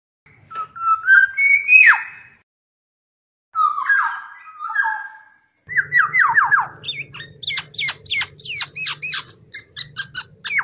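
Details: Black-naped oriole song from a masteran training recording: fluty whistled notes rising and falling near the middle register, a pause, then a fast run of sharp, repeated chevron-shaped chirps, several per second, with a faint low hum beneath.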